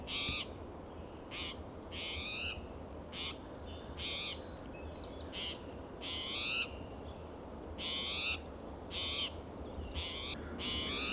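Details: ['Two spotted towhees in Del Monte Forest, California, on a June morning, one agitated and calling loudly, another answering more softly: a dense run of rasping, wheezy mews and shorter chips, overlapping and irregular, with low hum.']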